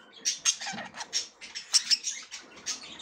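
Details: Female budgerigar checking the nest and trying to get in for the first time; clipped scratchy chirps and ticks in an uneven series with small gaps between calls.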